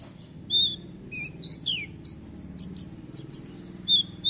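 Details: A Horsfield's (Javan) bush lark sings a quick, varied run of high, thin whistles, chirps and slurred notes with brief pauses; presented as a lure song to prompt silent bush larks to sing.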